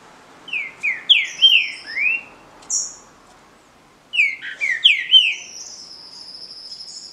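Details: In a singing contest of captive green-winged saltators, two phrases of four to five ringing, downward-slurred whistles, near 1 and 4–5 seconds, are followed by a long, steady, high whistle.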